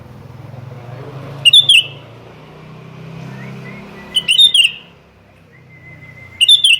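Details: Sooty-headed bulbul challenging a rival, giving short bursts of bright whistled notes roughly every two to three seconds, three bursts in all, with a steady low rumble of traffic and a thin whistle-like tone between phrases.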